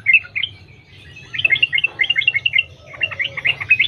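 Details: Sooty-headed bulbul in the wild, continuous 'sambung ropel' lure song: a few chirps, a short gap, then a long run of quick twittering notes, with steady low hum underneath.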